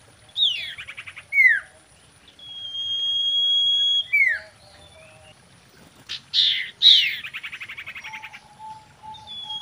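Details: Common iora singing in a mating context, the female's voice used as a lure: rapid buzzy trills, a long level whistle, then a sharp falling note and further loud chattering trill bursts.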